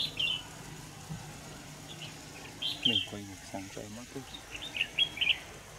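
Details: Red-whiskered bulbul recorded while being trapped with a decoy, 25 November 2018. Short, sweet, warbling phrases open and close the clip. A man's voice speaks briefly in the middle over low rumbling noise.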